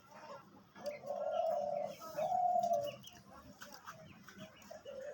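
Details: Hunting decoy dove offered for sale, uttering two drawn-out, mellow low coos about a second apart, softly recorded with faint background hiss and murmuring.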